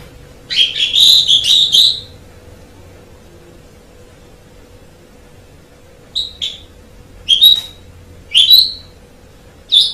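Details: Javan pied starling with a rapid two-second burst of chattering notes, then a long silence, then several short sharp whistled calls.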